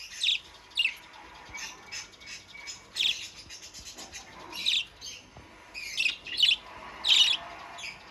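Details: Budgerigar that has begun singing busily: short bright chirps and twittering notes in irregular bursts, some closely paired, spread over eight seconds with quieter chatter between them.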